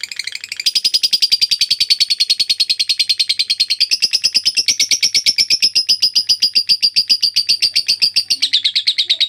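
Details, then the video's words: Lovebird giving a long ngekek, recorded to train other birds: after a short ragged start, a sustained rapid trill of sharp, buzzy notes runs unbroken for over eight seconds. "LOVE BIRD NGEKEK PANJANG"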